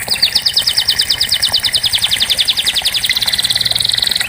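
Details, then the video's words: Canary song used as therapy for canaries that have stopped singing: a continuous fast trill of sharp repeated notes that speeds up and tightens toward the end. "Terapi Kenari Macet pasti ikut Bunyi"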